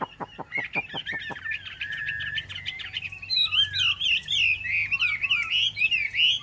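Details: Captive yellow-billed Chinese hwamei opening with a rapid string of dry ticking clicks, then breaking into a continuous warbling song of bright, wavering whistled phrases that grow louder toward the end.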